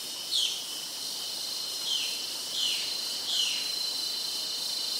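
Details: Red-throated caracara, one of two birds present and possibly immature, calling somewhat unlike the typical call at an Amazonian rainforest edge near Serranía de la Macarena, Vista Hermosa, Meta, Colombia. Four descending squealing notes roughly every 1.5 seconds over a loud insect chorus.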